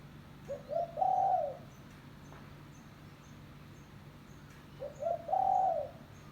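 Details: Spotted dove (tekukur) lure call: two phrases, each two short coos and a drawn-out mellow coo, roughly four seconds apart, with faint high bird chirps behind.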